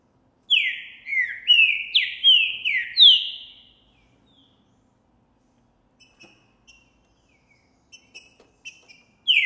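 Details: Green-winged saltator, Trinca Ferro Boi type, recorded in January 2024 while singing strongly after seeing a female: a rapid phrase of six ringing downslurred whistles, followed by scattered faint high chips and the start of another phrase.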